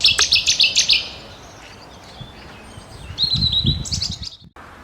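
Cetti's Warbler gives a sudden, loud burst of about eight rapid, ringing notes in just over a second. Quieter high chirps and a low rumble follow.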